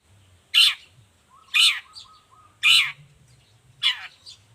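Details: Long-tailed shrike in lively song used as a training model and lure for other shrikes: four loud, harsh, broadband rasping notes about one second apart, with a faint low hum beneath.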